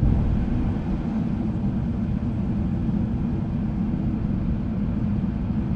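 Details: Steady low vehicle or aircraft engine rumble throughout, with no animal voices.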